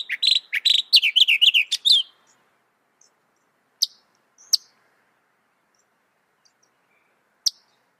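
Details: Northern mockingbird singing a fast two-second burst of varied, chattering and slurred notes, followed by silence broken only by a few isolated sharp clicks.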